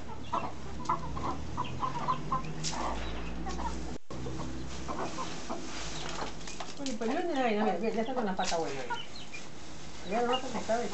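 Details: A rooster beside his hens gives soft clucks and short calls, then a long, wavering harmonic crow and the start of another crow, with faint background voices.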